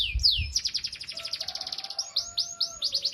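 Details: Canary song meant for tutoring young or silent canaries; high rapid chattering trill and sweeping whistles, with a faint steady lower tone running underneath partway through.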